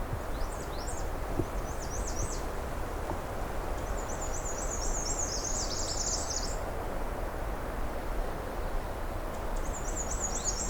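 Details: Black-and-white Warbler singing on a June afternoon on the north Pine Tree Point trail in 2022, its song less thin than usual; faint high see-sawing phrases repeated in several bursts over steady low background noise.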